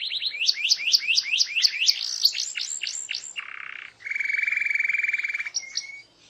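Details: Canary singing strongly so other canaries answer. A string of loud descending sweeps, about four per second, gives way to a lower buzzy note and then a long, even, metallic trill.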